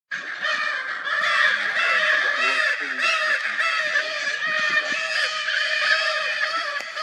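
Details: Lear's macaws (Anodorhynchus leari) give loud, harsh, grating squawks that overlap almost without a break, several birds calling at once throughout.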